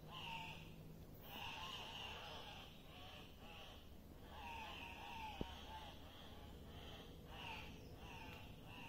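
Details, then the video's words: Several Andean cocks-of-the-rock at a lek give harsh nasal squawks and squeals, overlapping in bursts every second or so over a steady rushing background. "Andean Cock-of-the-rock Lek"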